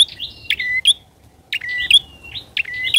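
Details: Bar-winged prinia lure call, loud and chatty: quick sharp chirps followed by short flat whistled notes, two bursts under a second apart, quiet background.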